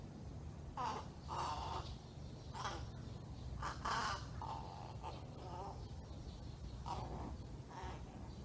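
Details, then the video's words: Juvenile crow practicing its calls, an odd, almost speech-like voice: a series of short hoarse, nasal caws and gurgling notes, about eight in total, spaced irregularly over steady low background rumble. "喋ってる？変な鳴き声のカラス crow speaking? カラス しゃべる 幼鳥 鳴く練習"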